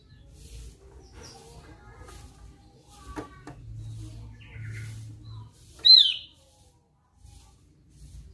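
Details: Javan grey-throated white-eye, known locally as opior Jawa, singing actively: a single loud, sharp downslurred note near the end, after a quiet stretch with faint low hum and small rustling sounds.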